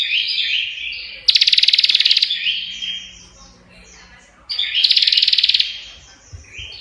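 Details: Energetic prinia song: two loud, harsh, fast-pulsed trills, each about a second long, framed by thin sliding whistles and a quieter stretch, with faint low knocks at the end.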